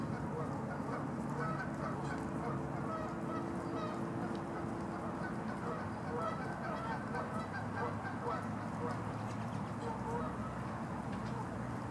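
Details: Canada geese at Los Gatos, California, USA, on 16 March 2019 keep up a long stretch of soft overlapping honks and clucks, some distant, mixed with faint voices and a constant deep background hum.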